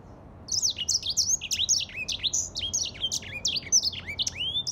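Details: Singing grey singing finch giving a continuous, lively run of high, clear notes, each slurring sharply downward, roughly twenty in under five seconds, with a quiet background.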